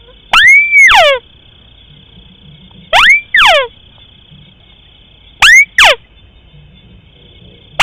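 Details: Rice-field crake lure sound, short version: three separate calls roughly every two and a half seconds. Each has a rising, arched whistle followed by descending, rasping sweeps, with a constant thin high tone running underneath.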